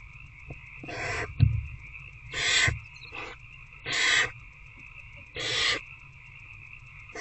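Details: Five harsh, hissing barn owl screeches, about one every one and a half seconds, from a nest box at night where an adult is feeding an older owlet; a sharp knock early on and a steady hum throughout.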